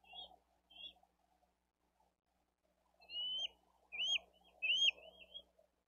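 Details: Younger bald eagle chick begging for food at a live-cam nest in Dade County, 13 April 2023, as adults bring fish and feed the eldest chick. Two short high chirps, then a run of wavering, looping whistled notes with a low hum behind.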